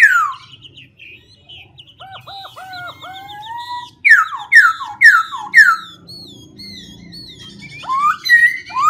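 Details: Black-throated laughingthrush alternating voices as it sings: a steep falling whistle, hooked lower notes repeated several times, then loud descending sweeps in a quick series and a final rising whistle.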